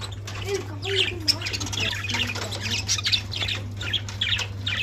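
Budgerigars chatter with a busy stream of scratchy warbles, chirps and squeaks over a low hum.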